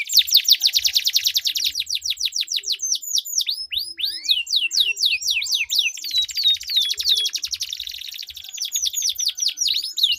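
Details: Canaries duelling in long rolling song aimed at making stalled canaries sing: a fast rattling trill, then a series of slurred whistles, and another extended rapid roll with overlapping voices.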